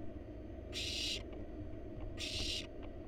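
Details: Wild barn owl nestlings in a monitored nest box while the parents deliver a rat; two rasping, noisy hiss bursts about half a second each, spaced roughly 1.5 seconds apart, with faint clicks and a constant low background hum.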